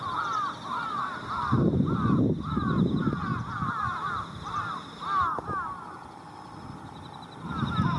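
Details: Preroost gathering of Jungle and Carrion Crows along electric cables in rural Japan at dusk, early October 2018: rapid run of harsh arched caws from many birds, a quieter gap, then more caws, insects trilling throughout.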